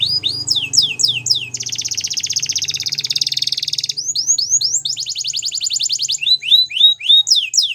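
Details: Singing Waterslager canary: descending slurred notes give way to a long rapid rolling trill, then more falling whistles and another trill, with a faint low hum underneath.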